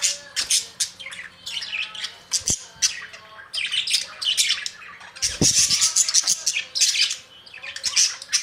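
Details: Noisy budgerigar squawking in long flurries of harsh, buzzy notes and chirps, with a brief quieter gap before a louder, busier burst; a few low thumps.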